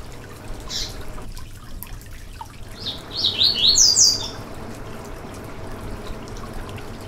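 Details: Yellow-bellied seedeater song meant to get another bird singing: after a lone high note and a long quiet stretch, a brief burst of quick high slurred chirps climbs in pitch. Steady low background noise.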